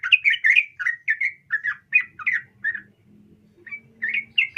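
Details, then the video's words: Female yellow-vented bulbul calling a male, giving short, throaty chirps in quick, uneven bursts, pausing about a second, then resuming with rising notes over a faint low drone. "trucuk Betina memanggil jantan"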